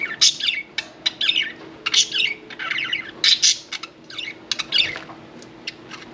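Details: Lively pet budgerigar chatter during bath time, mixing scratchy squawks and twittering warbles in quick bursts, some notes loud and shrill, others soft, over steady indoor hum.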